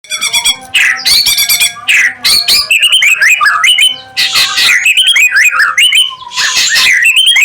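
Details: White-rumped shama, a kept songbird, singing on seeing another bird: loud, varied phrases of rich whistles, rapid trills and harsh chattering notes, delivered in bursts with brief pauses between them.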